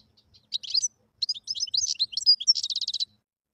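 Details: A wild European goldfinch sings a continuous high, twittering phrase of varied chirps and tinkling notes, finishing with a quick run of repeated buzzy notes.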